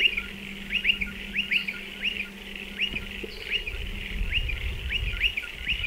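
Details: Striated pardalotes calling at nesting burrows in a dry stone wall; rapid rising chirps, often doubled, repeat through the clip over constant hiss, with a low hum fading midway.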